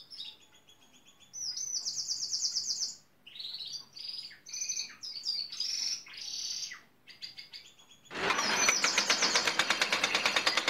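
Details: Gloster canary mimicking building site machines such as a pneumatic drill and digger, trying to woo construction workers; varied high trills and buzzy phrases, ending in a loud, harsh, rapidly pulsed drill-like rattle.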